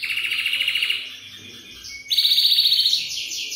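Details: Belgian canary singing, used to stimulate young canaries to sing: a fast buzzy trill around the middle pitch, a pause, then a higher, brighter rapid trill of evenly repeated notes with faint high overtones.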